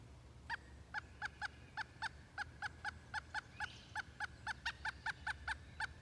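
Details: A Pileated Woodpecker in Hebron, Connecticut, gives a long run of loud, nasal 'wuk' notes, about three to four per second, with a low rumble underneath.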